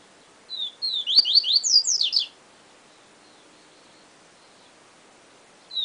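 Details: Yellow-bellied seedeater (papa-capim) singing a Siu Siu style phrase: a short high whistled note, then a quick run of descending slurred notes and shrill downward sweeps, lasting about two seconds, followed by quiet and the next phrase starting.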